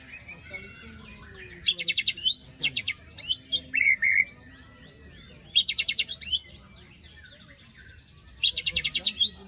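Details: Singing white-rumped shama after moult, meant to stir a bird that has gone quiet: loud bursts of fast scratchy trills mixed with clear whistled notes. The bursts are separated by soft background twittering.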